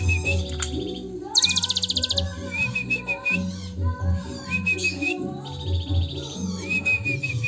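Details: Long cililin-style Sunda bush warbler song used as training material: a quick high buzzy trill, then repeated short whistled notes and twittering phrases over continuous low background music.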